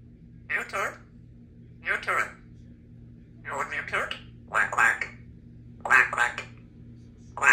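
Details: Three-year-old female Congo African grey parrot, a talkative pet kept indoors at a country home, producing short speech-like phrases in bursts roughly every one to one and a half seconds, with a faint steady hum in the background.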